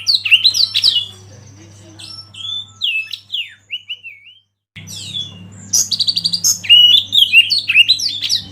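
Oriental magpie-robin singing a rich, varied run of clear whistles, slurred sweeps and quick chattering notes, with a brief pause midway and a low steady hum beneath.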